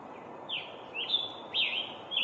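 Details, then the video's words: Scarlet tanager (Piranga olivacea) song: four hoarse, burry phrases, each sliding down then up, spaced about half a second apart, over a steady background hiss. "Bird sounds:Scarlet Tanager—Flame of Spring"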